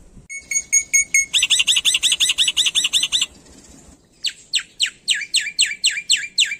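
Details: Indonesian black-winged myna singing with many copied phrases: a few high tinkling notes, a fast run of buzzy arched chirps, a short pause, then loud sharp downslurred whistles repeated about every third of a second.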